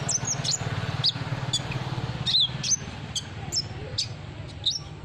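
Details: Olive-backed sunbird song used as a lure: thin, high chirps and quick slurred twitters in uneven bursts, with a low droning hum throughout.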